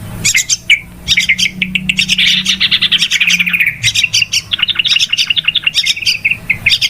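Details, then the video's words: Lure recording of noisy yellow-vented bulbul calls for bird trapping: rapid chirping and bubbly chatter, a buzzy stretch midway, with a low droning hum underneath early on. "SUARA PIKAT TRUCUKAN RIBUT PALING AMPUH"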